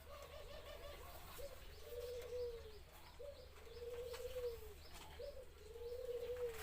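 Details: Zebra dove singing: three phrases, each a short rising note followed by a long, slightly trilled coo that swells and then falls away. The phrases repeat about every two seconds over a low background hum.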